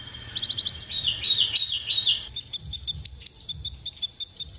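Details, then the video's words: Konin masteran song for training songbirds: a rapid series of high ticks and warbled notes in the first two seconds, then evenly spaced sharp high clicks repeating roughly three times per second. "masteran konin untuk bongkar emosi"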